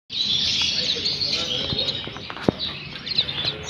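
Common waxbills keep up a dense, continuous chorus of thin, high chips and twittering notes, with one sharp click midway and faint background rumble.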